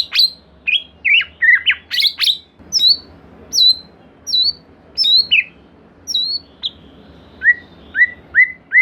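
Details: White-rumped shama song used as a lure to make another shama sing: varied sharp whistled notes and chirps, later a run of short falling whistles repeated about every half second.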